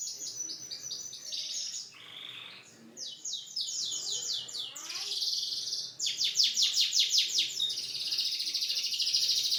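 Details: Singing canary delivering fast rolling trills and repeated sweeping notes, a short pause, then an extended bright rapid trill building louder toward the end.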